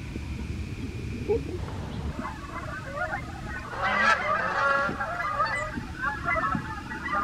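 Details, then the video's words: A flock of wild Canada geese calling as they fly in the morning, USA; after a quiet start the honking builds into a dense overlapping chorus around the middle, then continues more loosely, over low-pitched rumble. "Canada Wild Geese flying in the morning - USA"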